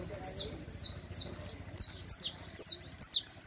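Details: Teaching song of a Saffron Finch (canario criollo): high, sharp notes sliding downward, often in pairs, repeated roughly once a second over a faint low hum.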